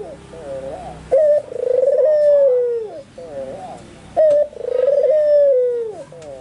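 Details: White albino Barbary dove calling intensely: two loud cooing phrases, each a sharp clipped note followed by a long rolling, wavering coo that slides down, repeated about every three seconds over quieter low background murmuring.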